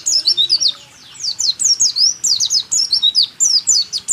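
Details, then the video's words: White-eye singing rool tembak style for training caged songbirds: near-continuous high twittering of rapid, sharply falling whistled notes, barely pausing across four seconds. "Masteran burung pleci..rool tembak terbaru 2023"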